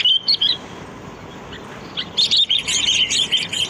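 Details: Sooty-headed bulbul lure call. A few high chirps come first, then after a quiet gap a dense, lively burst of rapid chirping notes.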